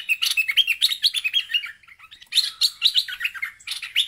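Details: Bulbul in an agitated state, calling at a rival: a fast stream of bubbly, warbling chirps, a brief lull, then another lively, chattering burst.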